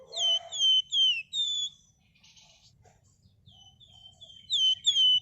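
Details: Red-whiskered bulbul, described as a bold, persistent singer with dense 'ngebren' and 'nyerecet' delivery, suitable as a lure: a run of clear, high, downslurred whistles, four close phrases, a quiet gap, then two more whistles.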